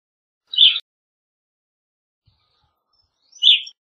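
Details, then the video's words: Evening grosbeak giving two short, burry chirps about three seconds apart against an otherwise silent background. "Evening Grosbeak Singing, Grosbeak Calling"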